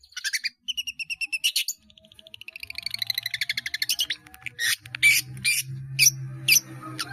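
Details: Caged-bird training song of a long-tailed shrike full of mimicked phrases: harmonic whistled notes, then a fast rattling trill, then loud separate chips spaced about half a second apart, with a faint low hum.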